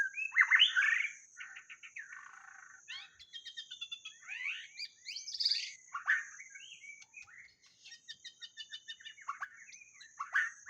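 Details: White-rumped shama song played to lure birds: a rich, varied run of whistled, warbled and chattering phrases, some sliding up or down, delivered in quick bursts over a steady high insect whine.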